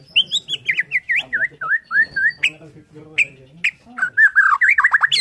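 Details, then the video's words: Morning song of a white-rumped shama from Borneo: a lively stream of varied whistled notes, dipping and rising slurs, sharp high accents and a closing burst of quick chattering phrases. "KICAUAN MURAI BORNEO PAGI"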